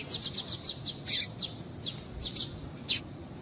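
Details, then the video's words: Female double-collared seedeater calling to prompt male song. A fast series of thin, high chips at even spacing, slowing into spaced single notes toward the end. "Piado de Fêmea de Coleiro para Esquentar Coleiro"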